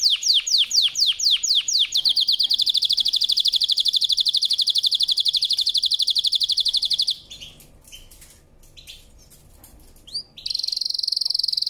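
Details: Powerful canary song: loud descending sweeps quickly run into a long, rapid rolling trill held for several seconds. A quieter stretch of soft notes follows, then a new high trill starts.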